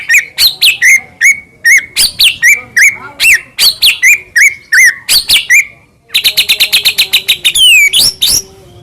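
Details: White-rumped shama morning song meant to prompt a pet bird to sing: steady series of sharp clicky notes with short whistles, a brief pause, then a fast buzzy high trill ending in a downslurred whistle.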